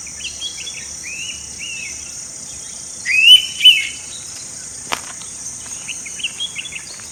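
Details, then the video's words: Indian pitta in Goa, India, recorded May 2021, giving one two-note whistled call, a rising slur then a brief second note, amid faint chirps of other small birds and a constant high insect hum. "Indian Pitta Calling"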